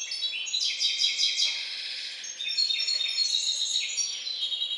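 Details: Song of a bastard finch descended from C.c. balcanica, from a breeder of ornamental and singing birds: rapid high, tinkling, rattling trills and twitters, nearly continuous, with a dip around the middle and a faint background hum.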